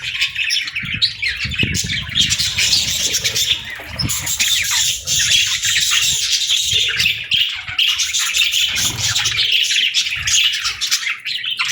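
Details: Budgies singing in an unbroken stream of buzzy chatter, squawks and chirps, with soft low bumps in the background.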